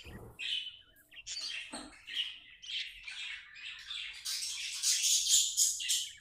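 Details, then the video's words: Happy tame pet budgerigar chirping: a fast warbling run of short chirps that grows denser and louder toward the end, ending in bright, harsh squawky bursts. "Happy budgie chirping sounds"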